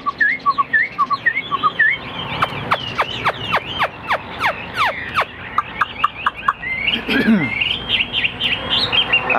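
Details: Caged Chinese Hwamei, a large-bodied male kept as a singer that fans out when fighting, delivers short looping whistles, then a rapid run of steep downward-swept notes, and ends in varied bright warbled phrases.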